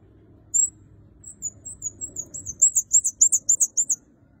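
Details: A red-headed kemade in full song gives a very high, thin song: a few drawn-out squeaky whistles, then a quick run of about a dozen sharp, buzzy notes, over a faint low hum.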